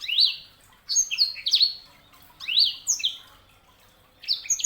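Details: Sanger, a canary hybrid, singing: loud bursts of sweeping, descending whistled notes and chirps in phrases of about a second, separated by short pauses, clean recording.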